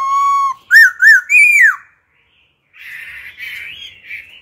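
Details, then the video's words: Wild-style singing by an old wild laughingthrush, changing phrases to encourage and train young birds: a steady flat whistle, two arched notes and a falling slur, then after a pause a softer buzzy warbled run. "Khướu già rừng hót giọng rừng, đảo giọng liên tục kích bổi hót, tập chim non, bánh tẻ hay!"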